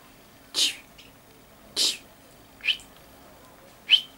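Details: Common chaffinch, 19 August 2013, giving short, sharp high calls, four in about four seconds, the later ones thinner and more metallic; background otherwise quiet.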